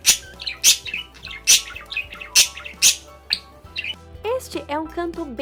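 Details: Pet budgerigar (Melopsittacus undulatus) warbling, a song given when happy and excited, often while playing: a fast, chattering run of high chirps, clicks and squeaky notes, with rising and falling whistled phrases toward the end.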